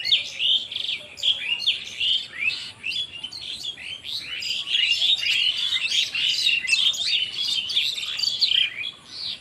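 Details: Many birds chirping together in a Bangladeshi village: a dense, continuous chorus of high, quick twittering and chattering notes overlapping without pause, with a soft low background hum.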